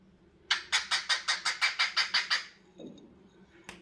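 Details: Cockatiel giving a run of about nine harsh, evenly spaced squawky notes in under two seconds, followed by quiet, with a soft low sound and a single click at the end.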